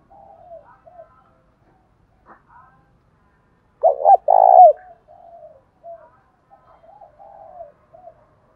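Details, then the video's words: Spotted dove in the Đồng Thổ singing style, a lure recording to attract wild doves: soft low wavering coos, then a loud double burst of deep cooing near four seconds, followed by more quiet murmured coos. "Tiếng cu gáy giọng Đồng Thổ ,Gáy gọi +Thúc/gù"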